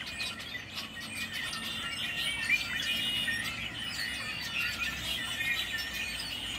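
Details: Crowded, noisy bird chorus of rapid overlapping chirps and squeals, several short calls per second, high-pitched and unbroken, over faint background hiss.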